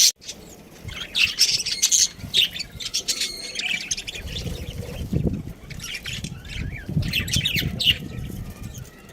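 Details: Pet budgerigar chirping in bursts of sharp high twitters and short squeaky notes, separated by quieter gaps, over a low rumbling background.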